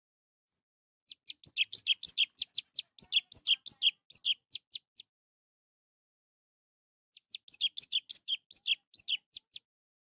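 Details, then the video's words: Orange-headed thrush song for stimulating a quiet bird: rapid, fairly soft chattering phrases of crisp high notes, about two and a half per second, in two bursts separated by a pause. "Untuk memancing Anis merah yang malas bunyi"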